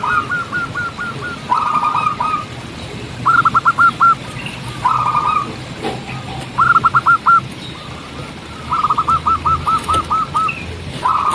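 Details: Local zebra dove singing actively in the wild: bursts of quick, clipped cooing notes in rolling series, each run of about five to ten notes, repeating with pauses over a faint rustling background and soft clicks.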